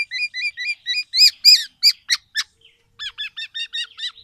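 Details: A tame, actively singing black-naped oriole delivers a loud, distinctive run of quick bright chirps, about four per second, a short break, then a further series of sharp repeated notes.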